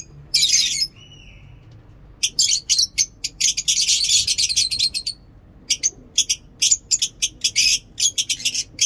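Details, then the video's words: Lovebirds in a mini zoo, morning singing: a harsh squawk with a thin whistle, then a long run of fast, shrill chirps and rasping chatter, continuing in evenly spaced sharp notes. "Lovebird ngekek lovebird singing in mini zoo"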